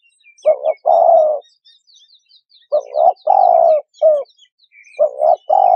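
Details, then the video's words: Spotted dove repeating its mellow three-part coo, a double note, a long falling coo and a short tail note. Thin, high chirps from other small birds run faintly throughout. "Tiếng Chim Cu Gáy"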